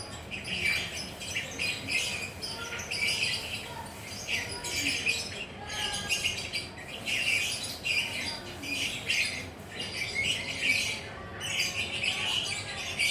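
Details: Long ngekek run from a relaxed perched lovebird: repeated harsh, buzzy squawk bursts about once a second, with a few thin whistled notes in the background.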